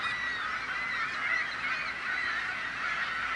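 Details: A crowd of seagulls calling loudly, a din meant to frighten off prospective predators, human or bird; dense, continuous overlapping squawking with no clear gaps.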